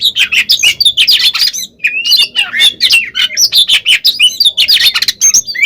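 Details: Fighting song of an oriental magpie-robin, used as a lure to make rival kacer angry and answer: a dense, nonstop run of sharp chirps, squeaky whistles and rattling notes, harsh and hurried.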